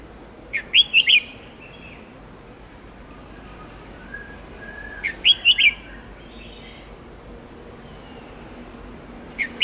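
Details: Red-whiskered bulbul singing a long multi-note training song meant to teach young and white-cheeked birds: short bright warbled phrases repeated about every four seconds, with quieter gaps between.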